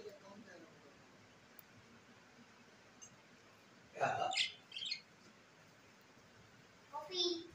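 A parrot gives harsh, squawky calls in short bursts, a pair of loud ones followed a few seconds later by a third, with a quiet room behind.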